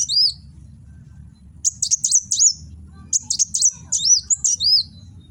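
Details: Kolibri wulung sunbird, a cage bird from Gresik, East Java, in 'nembak' fighting-ready song, filmed by phone: high, sharp, chirping notes in two quick bursts with a brief gap, faint low hum underneath.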